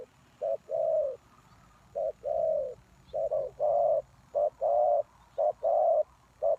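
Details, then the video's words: Spotted dove lure call aimed at wild doves, with a clipped note before each sustained hoarse coo, the phrases repeating steadily about once a second over a low hum. "The Cu Gáy Mồi Đất,Kèo thơm lụm Mồi sảy,นกเขาใหญ่สายต่อดิน,Sound Of Cuckoo Bird่,Suara Tekukur Pikat"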